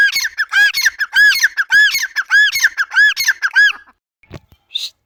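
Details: Grey francolin, locally called Dakhni teetar, calling loudly in a fast run of arched, ringing harmonic notes repeated several times a second for about four seconds, then falling quiet apart from a couple of faint clicks.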